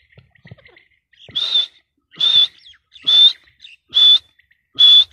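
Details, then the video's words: Grey francolin (teetar) in breeding season, calling: loud, piercing whistled notes repeated about once every 0.8 seconds, each a short steady high whistle, with faint chirps between. "Teetar crossing | teetar breeding season"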